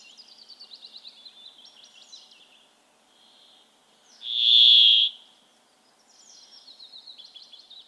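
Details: A Brambling, a winter visitor among Chaffinches, gives its song: one loud, nasal, buzzing note held for about a second, like a distant chainsaw. Softer, fast trilled finch phrases come before and after.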